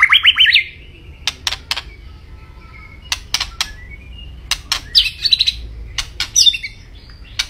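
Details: White-rumped shama song: a fast trill of high notes, then scattered sharp clicks and brief high twittering bursts.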